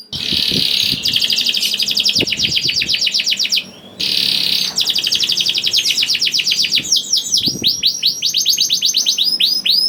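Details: Young canary in full song to encourage hesitant canaries to sing, with two long rattling trills of rapid notes over a buzzy tone, then quick falling whistled phrases; faint low thumps.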